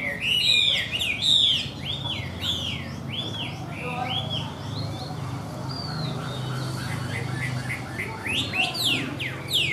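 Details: A caged, yellow-legged Chinese hwamei singing well: loud, rich, rapidly varied whistled phrases, rising and falling in quick succession, over a low background hum and faint voices.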